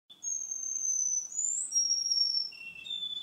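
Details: Male Russian canary singing, recorded two months on from an earlier recording: long pure whistled tones held steady, stepping down from a high note through a brief rising slur to lower sustained whistles.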